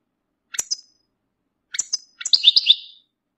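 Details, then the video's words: European goldfinch mating call aimed at getting a male to sing after moult: two sharp, bright double-note chirps followed by a longer, twittering buzzy flourish, in clear silence. "بتبتة رائعة لتحفيز الحسون على الخروج من غيار الريش بسرعة"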